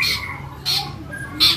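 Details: Captive East Java long-tailed shrike in full song form gives three harsh, scratchy squawks spaced about 0.7 seconds apart, with faint human voices in the background.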